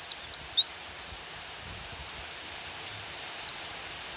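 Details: Female white-eye calling to goad a male into song, with rain sounds: a short run of thin, high, slurred chirps, a two-second gap of rain hiss, then another quick cluster of chirps.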